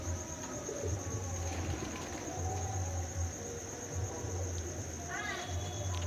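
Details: Pigeons in a breeding colony loft give low, soft cooing pulses roughly every couple of seconds, with a steady high insect-like hiss and a brief chirp in the background.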